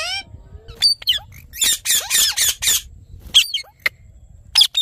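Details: Rose-ringed parakeet calling: a series of harsh, raspy squawks in quick bursts, with a few short rising and falling squeaks between them and quiet gaps near the end.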